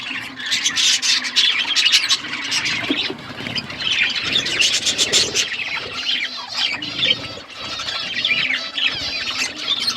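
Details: Budgerigars eating food, giving a dense continuous chatter of chirps, warbles and harsh squawks from several birds at once, with scratchy rustling noises mixed in.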